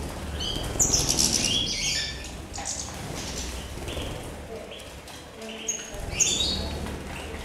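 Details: Several 'Mayor' European goldfinches bathing and enjoying water on 23 November 2016; bright, high chirps and short twittering notes that slide downward come in scattered bursts, over a steady low rumble of background noise.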